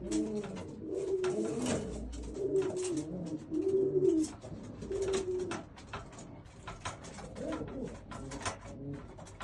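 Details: Old German Owl pigeon coos: deep, rolling, bubbling phrases swell in the middle seconds and then soften, with scattered clicks and taps around them.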